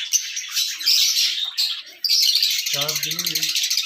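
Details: Raw calling of a pet parrot: rapid, shrill chirps and squeaky whistles fill the recording, broken by a short gap, then a brief low, buzzy voiced sound that could be speech.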